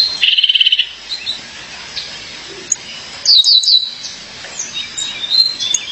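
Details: A female Violaceous euphonia calls for her mate: first a short, dry, buzzy trill, then after a pause a burst of rapid piercing high chips, followed by faint thin notes.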